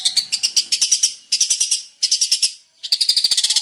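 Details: Long-tailed shrike, a male in varied song: short bursts of fast, bright chattering notes, each burst lasting under a second, separated by brief pauses.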